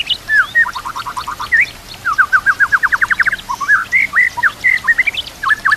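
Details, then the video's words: White-rumped shama singing a master song for training other shamas, its repertoire filled with kapas tembak and kenari cililin phrases. Loud clear whistles and rapid runs of down-slurred notes come in quick bursts of eight to ten over a soft hiss. "MASTERAN MURAI BATU ISIAN KAPAS TEMBAK KENARI CILILIN"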